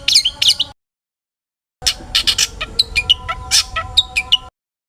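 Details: Long-tailed shrike song aimed at provoking other shrikes: a short scratchy burst, a gap of silence, then a dense sequence of clicking rasps and thin high whistled notes.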